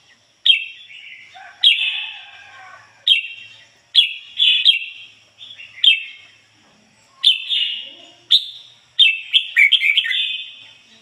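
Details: Red-whiskered bulbul used as a decoy, singing ngoi bổi style song. A steady series of crisp, clear whistles comes about once a second, some of them doubled into quick chattering runs.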